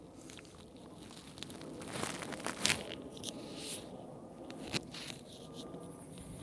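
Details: Crackling, crunching and crinkling noises, like the microphone being handled, over a low background hiss, with no animal calls.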